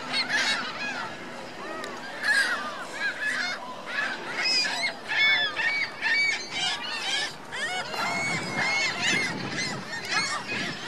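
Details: A flock of geese with goslings at Virginia Lake, Reno, honking loudly and repeatedly: bright, nasal, arching calls tumbling over one another almost without pause for eleven seconds.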